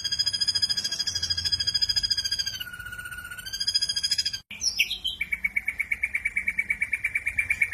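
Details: Harsh 'shot' song of an ashy drongo. A sustained, nasal, buzzy tone dips slightly and rises again, then after a brief break come a fast trill and a rapid run of clipped notes.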